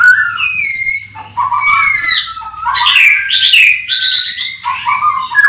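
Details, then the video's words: Captive white-rumped shamas at a bird-breeding farm in the morning: loud, rich whistles mixed with harsh rattling notes, in varied phrases that change pitch rapidly. "Pancingan murai batu di kandang ternak ll chirping magpie"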